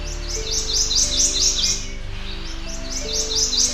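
Prothonotary Warbler singing two runs of loud, ringing, high notes on one pitch, about five quick repeats each, over soft background music.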